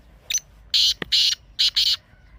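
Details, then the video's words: Black or desi partridge calling with loud, scratchy, rasping notes: a brief opening note, a faint click, then two pairs of harsh bursts in quick succession against near silence. "Teetar Ki Awaz"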